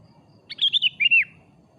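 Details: Sooty-headed bulbul, afternoon lure song: one short burst of bright, slurred whistled notes, a quick rising-falling pair of phrases dropping at the end, over a low background hum.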